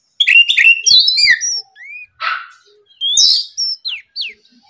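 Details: In morning song meant to provoke rivals, an Oriental magpie-robin gives a quick tumbling burst of chirps, then single slurred whistles, one rasping buzz and steeply falling notes.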